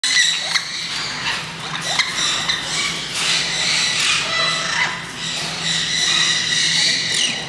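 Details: Green-cheeked parakeets, captive at a bird park in Kakegawa, Japan, first released into a free-flight zone shared with turacos and spoonbills. Harsh, buzzy squawks with stacked overtones come in a busy, irregular stream over a steady low hum.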